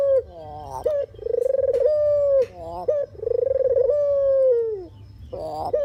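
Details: Puter or deruk dove call used as a trapping lure: two rolling coos, each opening with a brief higher note, purring, then sliding down. Another coo begins at the end.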